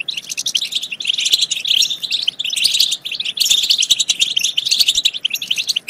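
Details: European goldfinch singing to prompt other goldfinches to sing and mate, a busy unbroken twitter of fine chirps and rolling trills, slightly louder in the middle seconds.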